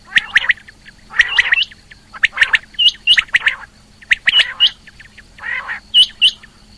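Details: Female rain quail calling, 2020; bursts of sharp, high chirping notes grouped in quick clusters, mixed with rougher squawky phrases, over a faint steady hum.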